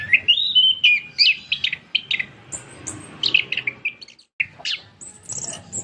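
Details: Long song from a captive orange-headed thrush: rich rising and falling whistles followed by rapid chirpy bursts, a brief pause, then more high thin notes, over a quiet background.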